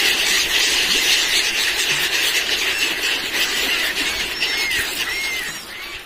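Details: Screaming seagulls being fed junk food by pilgrims on Somnath beach, Gujarat; a shrill massed squealing chorus, with several clearer arched, drawn-out cries rising and falling near the end.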